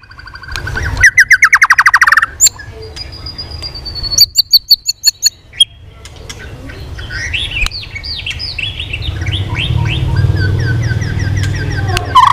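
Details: White-rumped shama training for song contests, singing competitively with tail flicking: rapid repeated notes, a high sustained whistle, then a jumble of varied phrases over a rising low rumble.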